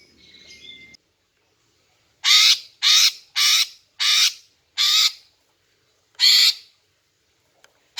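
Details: Greater green leafbird female calling to attract males. A soft whistle and murmur come first, then a run of six loud, harsh, cawing rasps spaced about half a second apart.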